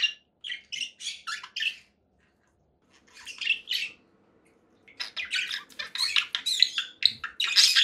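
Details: Conure parakeet uttering a series of sharp rasping squawks, a pause, then an accelerating stream of loud grating calls; faint low hum in the background.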